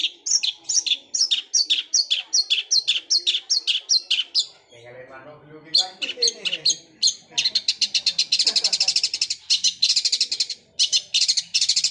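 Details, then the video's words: Long-tailed shrike with a sparrow-like voice, its song likened to a rolling sewing machine: rapid high chirps, then a dense chattering roll of notes; a person briefly speaks in the middle. "Cendet suara gereja Kunti tembakannya seperti suara mesin jahit roll speed fighter"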